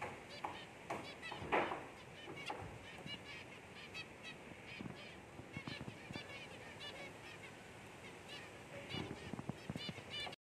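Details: An albino zebra finch chick among zebra finches giving a steady chatter of short, nasal, tooting calls from several birds at once, with a brief rustling thump early on.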